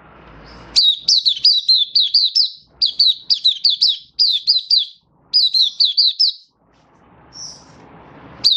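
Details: Singing oriental white-eye, a kept songbird shown with a booster product: bursts of rapid high, sweet, wavering notes dropping and rising, delivered in quick runs of four to six with short pauses.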